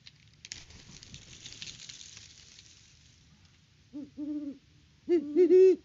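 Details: Great horned owls at a nest tree in Peabody, Kansas, October 2023, live cam: about three seconds of hissing rustle, then low hoots start, a short and a long one, followed by louder overlapping double hoots.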